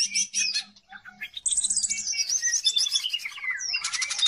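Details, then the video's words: Greater green leafbird in full song, used to lure and train other birds. A few soft chirps give way to loud, sweeping whistled slurs, buzzy rattles and a final harsh trill. "CUCAK IJO GACOR || COCOK BUAT PANCINGAN"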